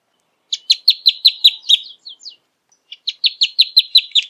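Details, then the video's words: Two bursts of rapid, ringing, high notes from a rufous hornero, about six per second, broken by a short pause. "Hornero Canto - Rufous Hornero Bird Song"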